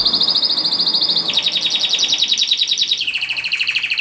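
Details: Canary song: a long, steady rolling trill of rapid repeated notes, held at one pitch, then stepping down twice to lower trills, loud and continuous throughout.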